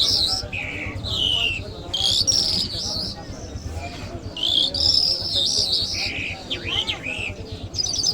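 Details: Iranian lark called Mashhadi singing a varied medley of high whistles, lower slurred notes and buzzy phrases in quick succession, with a steady low hum in the background.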